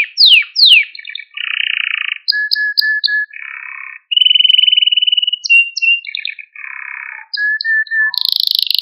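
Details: Canary training song to excite and teach young birds: a patchwork of flat, held tones at several pitches, buzzy trilled stretches and quick descending sweeps, changing every second or so.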